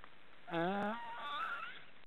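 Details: Young black storks snoring in a nest deep in an Estonian forest, three chicks present; a single nasal, harmonic call swells and wavers upward, trailing into a thinner whine, with faint hiss behind.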